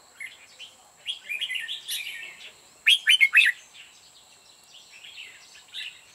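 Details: Red-whiskered bulbul kept as a decoy, singing to lure wild birds into a trap; short bright warbled phrases come in bursts, with a loud chirpy cluster near the middle and quieter twittering after, over a steady high hiss.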